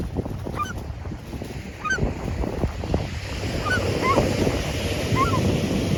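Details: Seagulls heard over wind and surf: several quick, high, slurred cries, some in close pairs, repeated every second or so. A steady roar of wind and waves builds toward the end.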